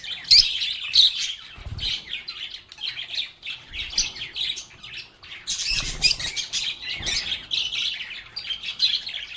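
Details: A group of lovebirds chatters and sings continuously, with busy overlapping high-pitched chirps, a few harsher squawks, and occasional soft low thumps underneath.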